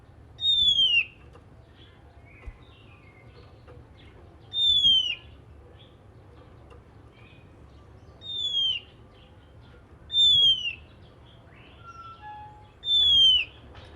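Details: Oriental magpie-robin singing in the morning, its song said to stir other magpie-robins into singing: a clear, high whistled note that slides downward, repeated roughly every four seconds, with faint softer notes between and a low background hum.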